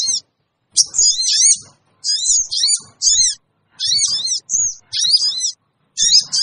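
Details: Sooty-headed bulbul scream-type lure call meant to draw wild birds together fast; shrill, strongly repeated clusters of high zigzag notes in bursts of about half a second to a second, interrupted by short pauses and faint clicks.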